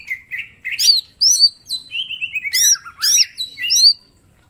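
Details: Green leafbird, mini type, singing a full repertoire for training: a continuous run of bright whistles, curling chirps and a long descending slurred trill near the end, then sudden quiet.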